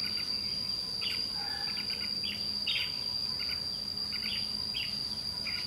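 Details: Red-whiskered bulbul with white cheeks, singing defiantly at a decoy during trapping. Bright warbled notes come in rapid clusters, roughly two per second, over a persistent high insect whine.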